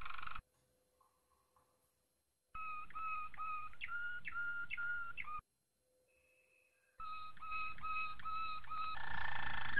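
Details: A Malinois Waterslager canary sings deep, rich whistled notes in quick rolling repeats, delivered in two bursts split by silence, over a low background rumble; a training master song for canaries.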